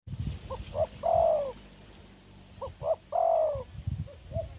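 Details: Wild spotted dove cooing: two short hollow notes, then a long, loud, slightly falling coo, repeated twice with a faint low rumble in the background.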